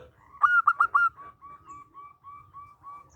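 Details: Local zebra dove song used as a lure: four loud, quick cooing notes followed by a long train of softer, evenly spaced whistled coos, with faint low rumble behind.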